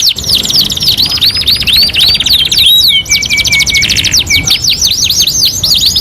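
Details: Canary song, two-in-one master recording: fast rolling trills with whistled sweeps, a long low flat buzzing note in the middle, then a series of swooping bouncy notes.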